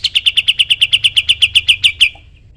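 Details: Rapid rattling trill from a sooty-headed bulbul, recorded as teaching material for other songbirds: around eighteen bright, clipped notes in two seconds, evenly spaced, ending abruptly with a short fading tail.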